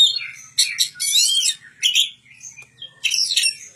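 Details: Magpie-robin being raised as a young bird at a village home, singing bursts of rich, varied whistled and chattering phrases in short clusters separated by brief pauses.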